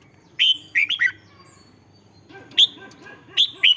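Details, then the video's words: Thai caged red-whiskered bulbul, song for stirring caged birds: loud whistled notes in short bursts, a three-note phrase, then more clipped notes over a faint low murmur in the background. "เสียงนกกรงหัวจุก สำหรับต่อ หรือ เปิดให้นกคึก"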